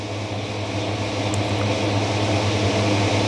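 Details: A loud, steady mechanical hum and fan-like drone from a setting where duck eggs are hatching, with no clear animal voices.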